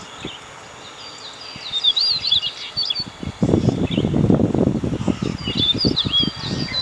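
Common stonechat giving thin, high squeaky notes in short bursts, partly masked by heavy gusting wind rumble through the second half.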